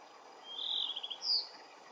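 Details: Under a blue sky, a blue rock thrush gives a short song phrase, a quiet fluttering whistled trill followed by a brighter, higher clipped note, with faint background hiss.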